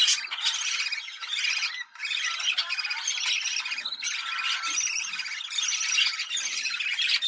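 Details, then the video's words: Budgerigars giving mating chatter meant to excite breeding birds: dense, scratchy twittering and squawking, nearly continuous, with a short gap just before two seconds. "Muhabbet Kuşu Kızıştırma Çiftleştirme Sesi"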